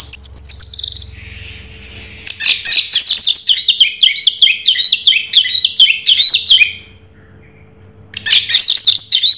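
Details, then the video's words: Raja Teler style song of an orange-headed thrush: high whistles open into a fast series of sharp, chirping notes, about four per second, then a brief silence before another high whistled phrase. "Suara Burung Raja Teler Anis Merah"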